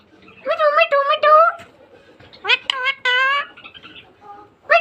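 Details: Pet green parrot talking, known as a Mithu parrot: high, nasal word-like phrases in two bursts around the first and third seconds, each with a strong layered tone, separated by a quiet pause, indoors in a small room.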